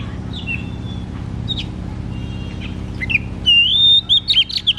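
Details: Oriental magpie-robin, ngeplong-style song meant to coax a bird that sings little: faint scattered notes, then a loud rising whistle followed by quick descending chirped phrases, over a constant low hum.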